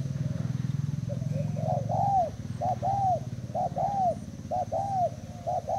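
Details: Spotted dove of Thai stock kept as a decoy, recorded 18/06/18: clear mellow coos in rhythmic phrases of a short note followed by a longer arched coo, repeated about once a second, over a low hum.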